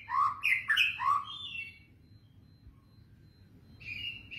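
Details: White-rumped shama singing vigorously, kretetan-style lure: tumbling cluster of varied chirps and jumps in pitch, a silent gap, then a steady high whistle returns, with low background hum.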